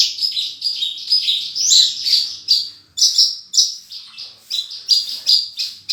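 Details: Horsfield's bush lark, a lively singer performing a full song with mimicked phrases: loud high buzzy and rasping notes run in a rapid chain of varied phrases, each rising and falling in volume.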